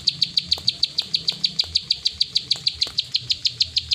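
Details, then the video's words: Rice-field prenjak, the plain prinia, in 'klik ngacor' form: regular strong high-pitched clicks, roughly three each second, running four seconds without pause over a soft low murmur. "Burung prenjak sawah klik ngacor"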